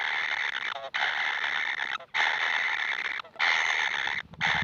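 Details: Hungry baby kingfishers calling for food: steady, coarse, hissing rasps lasting one to two seconds each, separated by short breaks.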